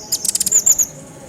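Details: Pygmy bushtit, recorded for training other songbirds, gives one quick burst of very high, thin, chippy notes lasting under a second.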